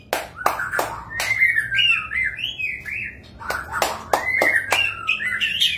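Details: Magpie-robin song: looping, slurred whistles wavering up and down, several sharp broadband clicks scattered through, and a quieter pause midway before the phrases resume.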